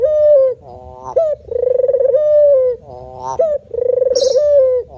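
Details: Male spotted dove in a manggung cooing display: a low rough pulsed note, then long smooth mellow coos holding steady and falling slightly at the end, with a short rising note between phrases.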